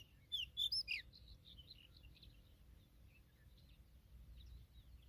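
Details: Female familiar chat with her newly hatched young: a brief burst of loud, sharp, high chirps near the start, followed by softer scattered twittering over a quiet low rumble.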